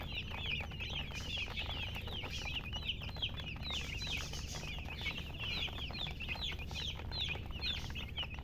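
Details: Chickens chirp nonstop in quick, high, downward-curving notes from many birds at once, forming a thick, lively chorus over a low hum.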